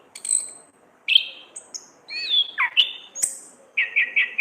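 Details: Orange-headed thrush ngriwik-style song for masteran training: thin very high whistles, a downward-sweeping slurred phrase, a sharp high note, then three quick repeated whistled notes, over a faint low hum.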